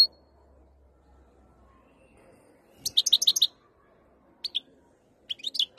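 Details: European goldfinch from Algeria, singing while ready to mate: a quick burst of bright, tinkling twittered notes, then brief chirps and another short twittering phrase, with quiet gaps between.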